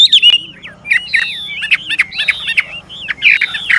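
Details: An old wild Chinese hwamei sings varied phrases to stir young birds into song: clear whistled slurs, some falling and some looping, separated by short gaps and sharp clicks, with a faint low hum behind.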